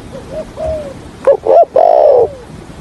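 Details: Decoy spotted dove kept for trapping wild doves, with a stuttering coo in 'thổ' voice: soft low coos first, then two sharp hooked notes and a long loud wavering coo that drops away.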